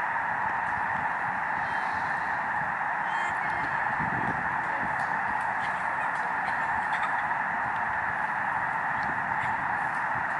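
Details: Huge migrating flock of snow geese (Anser caerulescens) on Lake Springfield, Illinois, calling together: countless nasal honks merging into a steady roaring babble, audible for miles; pitch and volume rise as the flock lifts off together.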